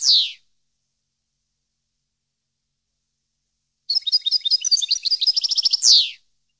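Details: European goldfinch singing, a recording for training captive birds: a falling buzzy note, long silence, then a burst of fast twittering notes and trills ending in another downward buzzy slur.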